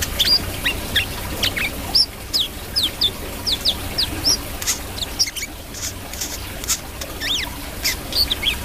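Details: Brown-throated sunbird in lively voice, giving a steady run of thin, high, slurred chirps, some rising and some falling, over faint clicking and a low hum.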